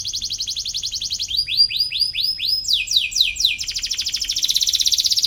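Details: Canary in full song, sought as a rival-provoking model for young birds: fast trilled chirps around high pitch, then a run of downward-sweeping notes about four per second, ending in a dense buzzy trill.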